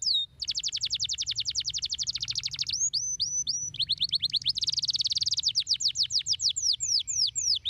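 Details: Canary singing a stimulating song for a lazy bird: rapid rolling trill of clipped notes, a few slower looping whistles, then another dense buzzing trill and quick descending slurs, steady and loud.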